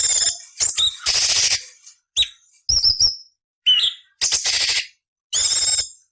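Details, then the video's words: Tutor recording of cucak cungkok for murai, cucak ijo and kacer, with rough 'beset nyerecet' fill-ins. Long harsh rasping bursts alternate with brief piercing whistles in separate phrases. "Masteran Burung Cucak Cungkok Istimewa - Isian Variasi Beset Nyerecet Kasar untuk Murai C.Ijo Kacer"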